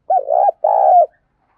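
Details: Two loud, rough coos, the second slightly longer, from a spotted dove decoy bird with the 'thổ pha thúc' voice, used to excite and train other decoy doves.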